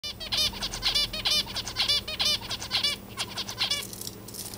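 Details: Two male zebra finches, one pecking the other off the nest, give rapid, nasal, toy-trumpet beeps, several each second in a busy chattering run.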